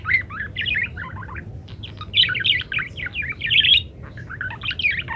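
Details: Parakeet song full of variations, used as a master so munias learn to sing quickly: rapid, squeaky, twisting chatter in quick runs, a brief pause near two seconds, then more bubbling warbles to the end.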